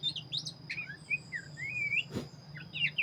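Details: Black-breasted Oriental magpie-robin singing briskly: quick rising and falling whistled slurs and twittering notes in a continuous flow, one short broad click midway, steady high whine and low hum in the background.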